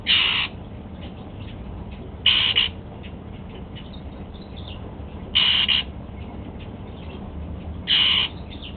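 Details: Kept male Golden-fronted Leafbird at breakfast, eating apple: four short rasping bursts spaced roughly every two to three seconds, with soft clicks and rustles between them and steady low background noise.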